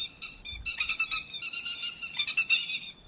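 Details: Lure recording of grey-headed lapwing for nighttime net trapping: high, strident calls start thin, then swell into rapid, overlapping chattering notes that fade at the end.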